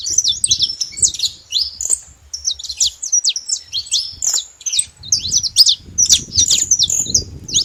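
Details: Saffron finch singing in the wild, a lively flow of high chirps and short slurred notes with a brief pause mid-song, soft wind rumble in the background.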